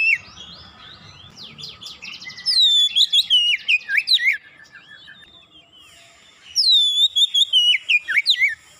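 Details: Oriental magpie-robin in fast, full song after a single prompting: loud, clear whistled phrases of sharply rising and falling notes, delivered in two vigorous bursts separated by a quieter pause.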